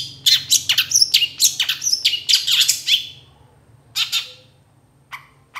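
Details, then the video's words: Long-tailed shrike, recorded as a master for teaching songbirds fill phrases: a lively rush of varied high chirps and slurred notes for three seconds, then only a few isolated sharp notes. "Masteran Suara Cendet"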